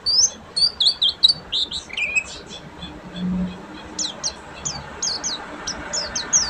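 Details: Buxtomi Oriental white-eye singing ngeriwik: an opening run of quick high twittered notes, a brief quieter stretch, then spaced sharp chirps resuming, over a light noisy background.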